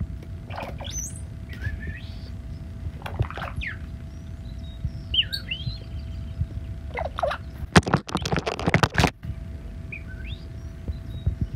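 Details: A pet cowbird in flight gives thin, high whistled notes that sweep up and down in short bursts, with a rush of fluttering wingbeats and a low background hum.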